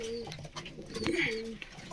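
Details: Caged pigeons give low, steady cooing notes that repeat and overlap, with a few sharp knocks from the cages and faint high chirping of small birds in the background.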